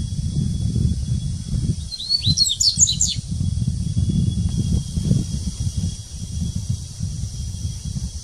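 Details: Dubois's seedeater (Sporophila ardesiaca) song at São Paulo Botanical Garden, Brazil, 6 January 2019: one brief burst of high, quick twittering notes under a low rumble of traffic or wind and a constant high insect hiss.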